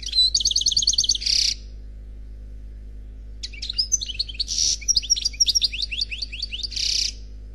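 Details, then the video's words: European goldfinch, an unpaired bird, singing Khalwi-style phrases: a quick metallic trill ending in a buzzy rasp, a pause of about two seconds, then a longer twittering run with repeated harsh buzzes and thin whistles. "Chant Chardonneret Khalwi Célebataire"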